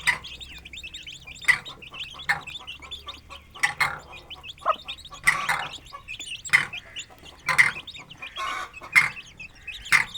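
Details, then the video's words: Aseel chicks running and eating near their hen in an open rural yard; sharp high chirps repeat about once a second over a faint background of small peeps. "Aseel Hen & Chicks Feeding & Playing 🐔 || Happy Village Life || Cute Chirping Sounds"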